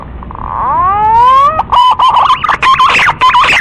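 A green pigeon gives a long, rising, fluty whistle, then a run of quick wavering whistled notes that twist up and down in pitch.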